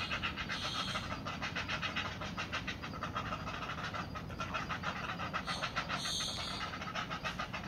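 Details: Two great blue heron chicks in the nest beg when their parent brings food home. They make a fast, steady run of harsh ticking pulses, several per second, over a noisy, rumbling background.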